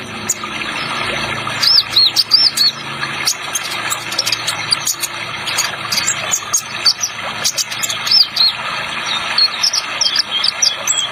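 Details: Spotted ninja sunbird song used as a training track to spur young birds to sing, mixed with an added water sound effect: thin, very high chirps and squeaky upslurred notes in quick bursts over constant splashing hiss and clicks.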